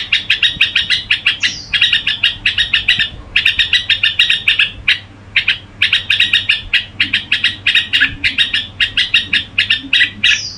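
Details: Kept red-whiskered bulbul performing gù song: long runs of dense, scratchy chattering notes in quick rhythmic pulses, broken by brief pauses. There are occasional thin, falling whistles. No other sounds stand out.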